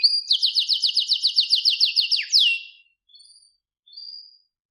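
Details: Canary song: a rapid trill of rising notes repeated about four times a second for two seconds, then a sweeping downslur and a few soft high notes after a pause.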